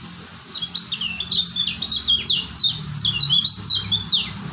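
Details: Lombok white-eye, known locally as kecial kuning, pouring out a lively stream of high slurred chirps and short falling whistles, dense and continuous for several seconds over a low background hum.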